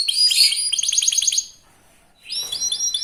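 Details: A young local canary sings hard as a lure to get others singing: a dense high trill falling into a run of quick descending chirps, a short pause, then a bright rapid phrase of repeated notes.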